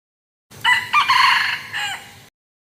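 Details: Wild junglefowl crowing: a single loud, harmonic crow of about two seconds, rising into a sustained middle section and ending in a drawn-out, falling final note. The background is quiet.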